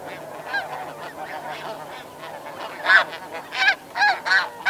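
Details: Snow goose flight calls over a background flock at Chincoteague, Virginia, United States: soft distant chatter first, then loud nasal honks near the end, four or five in quick, uneven succession.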